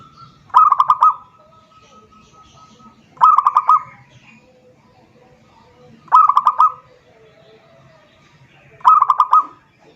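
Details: A zebra dove calls to a rival as a lure. Four evenly spaced phrases of fast, bubbling, level-pitched coos repeat roughly every three seconds in a quiet setting.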